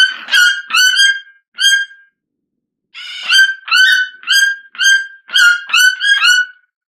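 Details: A Red-billed Toucan (Ramphastos tucanus) gives loud, nasal yelping notes rich in overtones: three at first, then a quick run of about eight after a short pause.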